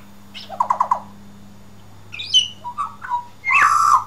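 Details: An Australian pied butcherbird gives a quick run of four or five mellow notes, then clear whistled phrases and lower fluty notes, ending in a harsh burst, over a steady hum.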